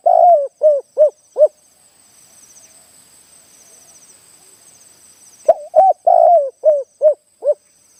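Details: Spotted Dove, a wild target bird down from the mountain, answers a caged decoy during a decoy trapping session, with a small-voiced คารม style: two bursts of four to five short, low hooting coos, a silent gap, a sharp click, and a faint steady high whine.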